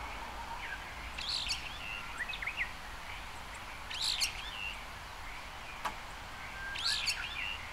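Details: Brown-eared bulbul (Hypsipetes amaurotis), recorded from a window, giving loud, harsh, squealing calls about every three seconds, each a sharp shriek with short chattering notes, over a faint background hum.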